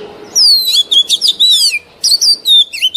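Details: Song of a mature wild Oriental magpie-robin, used to train young birds: fast warbled and trilled whistles in two bursts broken by a short pause, ending with a sharp dropping note.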